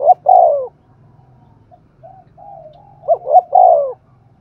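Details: Spotted dove kept as a decoy, cooing in the spirited Thúc Gù pattern to call wild doves in: a loud falling husky coo, quiet murmured coos, then another phrase of two quick notes and a drawn-out falling coo over a faint low hum.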